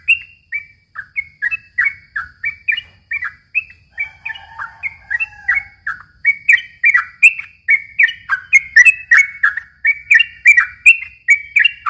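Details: Yellow-vented bulbul song used as a lure for young birds: a long run of short bubbly notes around the mid-high range, rising and falling, repeated about three times a second with few breaks.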